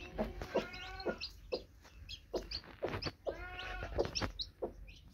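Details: Broody hen beside her newly hatched baby chicks, giving short throaty clucks, some drawn into nasal harmonic grumbles, while thin high peeps from the chicks come in small bursts.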